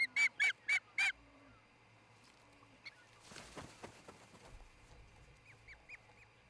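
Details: Osprey at its nest in Charlo, Montana, filmed by a nest camera at dawn on 26 June 2018; four loud, strained whistled notes in quick succession, then rustling and a few softer, thin upslurred chirps.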